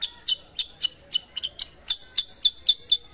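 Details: Sooty-headed bulbul, an untrained bird brought into full song, giving a steady string of sharp, high chipping notes about three per second with brief slurred whistles between.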